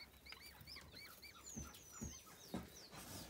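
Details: Chicks of the white eared pheasant give arched, high peeping notes one after another, with soft footfall-like taps underneath.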